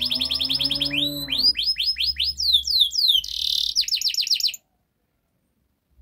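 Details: Canary master song for prompting a non-singing canary: a low droning note leads into quick rising whistled sweeps, a short buzzy burst and rolling trills, ending abruptly in silence after about four and a half seconds.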